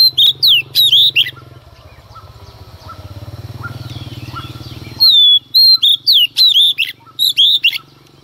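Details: Early-morning song of a female Oriental magpie-robin meant to stir up males: loud rapid whistles and slurred notes open the clip, a quieter stretch with distant birds follows, then a longer run of sharp whistled phrases.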